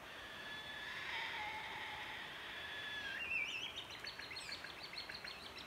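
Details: Fledgling Sulphur-crested Cockatoo chicks begging, apparently being fed by an adult, on a rural Victoria, Australia property around dawn: long, harsh drawn-out tones, then a fast string of grating notes, nearly four a second, over faint background noise.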